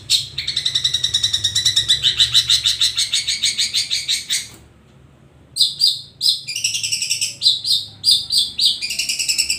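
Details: Long-tailed shrike (cendet), ombyokan, singing a long rattling run of buzzy notes, then a silent gap and jerky clusters of sharp chattering phrases.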